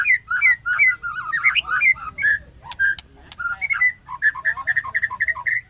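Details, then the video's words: White-rumped shama giving odd calls: rapid whistled warbles and chirps in quick runs, then evenly repeated short notes near the end, with low background hum. "SUARA ANEH MURAI BATU"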